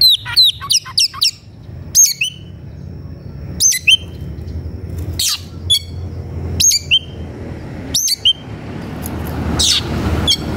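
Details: Excited white-rumped shama singing to challenge a rival: quick clusters of high sharp whistles, then separated phrases of whistled sweeps and buzzy notes roughly every one to two seconds, background fairly quiet.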